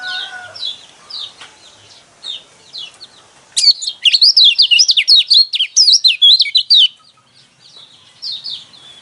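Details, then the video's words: Lemon-bellied white-eye singing as a lure to get caged birds singing. Soft scattered chirps give way to a three-second run of loud, high, jagged twittering notes, then sparse chirps again. "burung pleci kecial kuning mana yang nggak kepancing emosinya dengan suara seperti ini"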